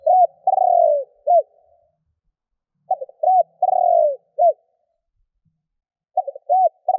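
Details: Spotted dove calling to provoke other doves. Its soft low cooing phrases repeat every three seconds or so. Each phrase has a few stuttered notes, a long downward-sliding coo and a short final note. Nothing else is audible.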